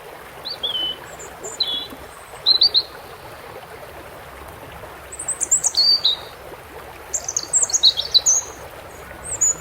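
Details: European robin singing over steady running water, with thin high phrases of sweet, clustered notes, some trilled, given in short bursts separated by pauses.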